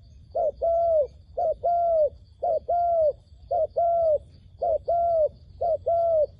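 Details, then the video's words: Dove call used to lure wild doves for trapping in Cambodia: six paired coos in a steady rhythm, about one per second, each a short clipped note then a longer smooth, level coo, with little else heard. "ឱ្យតែជួបលលកព្រៃ ធ្នាក់ហៅបរសឹងដាច់ខ្យល់ | Amazing Dove Trap"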